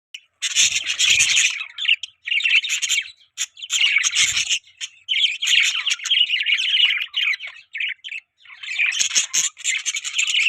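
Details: Several budgies chirp together in dense, scratchy bursts of warbling and squawky notes, with short pauses between bouts.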